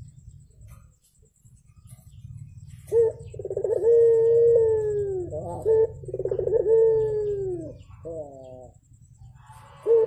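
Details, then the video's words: After a quiet start, a Javan turtle dove gives two full coo phrases, each a brief note, a trill and a long steady tone drooping at the close, followed by a short purring fragment; faint low hum throughout. "BURUNG PUTER GACOR"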